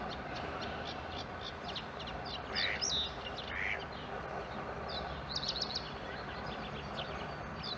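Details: Young Eurasian coots at a nest on the Schützenweiher in Winterthur, cared for by the adults. High, thin chick peeps come scattered throughout, with two lower, harsher notes near the middle, all over constant ambient noise.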